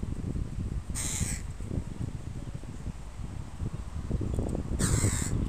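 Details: Crows of a family with fledged young in a park: two harsh, rasping caws about four seconds apart over steady rustling and low background noise.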